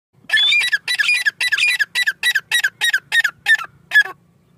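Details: Grey francolin (desi teetar) calling: a series of about eleven loud, harsh, scratchy notes repeated roughly every third of a second. The notes slow and thin toward the end.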